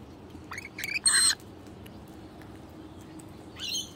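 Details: Wild rainbow lorikeets, a pair showing off their baby at a person's hand: a few harsh, screechy squawks in quick succession, then a quiet pause and one more raspy squawk.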